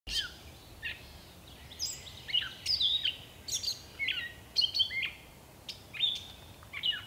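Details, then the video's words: Gray catbird singing: a quick jumble of varied squeaky, whistled and chattering phrases, some rising and some falling, delivered in short bursts with brief pauses, against a quiet outdoor background. "Gray Catbird Singing"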